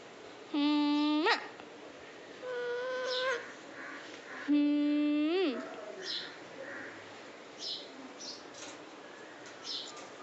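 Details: Talking pet parrot calling 'maaa' in Bengali while asking to be fed: two long, level voice-like tones ending in an upward flick, a softer wavering call between them, then quieter fragments indoors.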